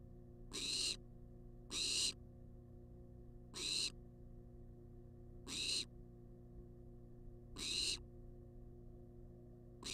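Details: Persistent food-demanding screeches from a wild barn owl in a research nest box: six harsh hissing bursts in ten seconds, irregularly spaced, with a steady low hum beneath.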